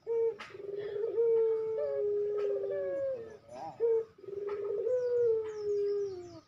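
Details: Barbary dove in fast cooing, a tutor recording for captive birds: loud, rich coos, each starting with a short clipped note, then a long, level, gently falling drawn-out coo, repeated twice in close succession.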